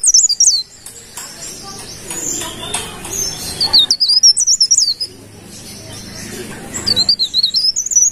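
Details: Golden-bellied gerygone in full song: three bursts of high, thin, quavering whistles in quick zigzag runs, separated by stretches of muffled rustling and faint noise.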